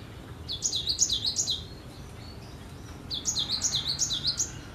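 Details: Actively singing cinereous tit gives two bursts of high, sharp, see-sawing double notes, each phrase repeated rapidly about four times per second, with a short quiet pause and faint thin calls between the bursts.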